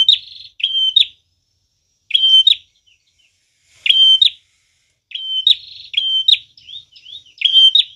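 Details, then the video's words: Prinia in full song, meant for luring birds: high even whistled notes ending in sharp chips, in bursts of one to three phrases with brief silences, and a few softer rising notes in between. "Prenjak tamu gacor cocok banget buat pikat dan pancingan"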